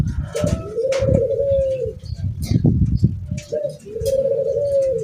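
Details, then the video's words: Zebra dove of the Bangkok type living at a house, singing in strong wind: two smooth, slightly rising then falling coo phrases, each about a second long, over heavy low-pitched wind buffeting. "meskipun angin kencang tetap bunyi perkutut bangkok penghuni rumah"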